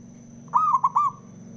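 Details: A single male zebra dove phrase, three fast gurgled coo notes, the first drawn out and the rest clipped, sung to provoke other doves to sing; low hum underneath.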